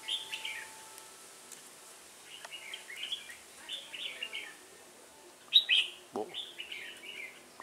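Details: Red-whiskered bulbul, decoy-bird trapping, Vietnam, 1 October 2018; repeated short bubbly whistled phrases every second or so, one louder sharp burst midway, a brief low knock and a faint steady hum behind.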